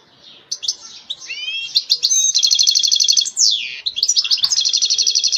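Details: European goldfinch singing a fast, bright twittering song: high tinkling chirps and short rising slurs run into rapid buzzy trills and rattling repeated notes, with brief pauses between bursts, in a quiet setting.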